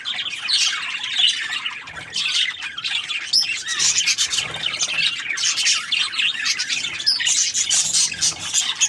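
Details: Budgies produce a lively chorus of sharp chirps, squeaks and short warbles, some louder single notes standing out above the constant high-pitched chatter.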